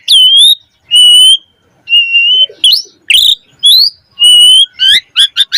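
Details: Asian pied starling singing loudly with varied filler phrases, used to stimulate other starlings. Steady level whistles repeated with short pauses, one harsh squawk, and a quick run of rising chirps at the close.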